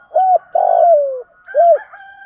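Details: Spotted dove calling, male and female birds used to stimulate wild-caught doves. A domed coo, a long trilled coo sliding lower, and a closing domed coo. Faint thin whistles from another bird sound at the end.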